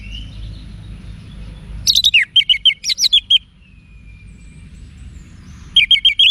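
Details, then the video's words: Caged-bird training song of the Orange-headed thrush, Bali, Indonesia: a rapid run of sharp, clear whistled notes with high overtones, then a thin drawn-out whistle, then another quick burst. "ANIS MERAH Manapun Bakal Nyaut Berani Untuk Figther Saat Didengarkan Kicauan Wiksar Ini"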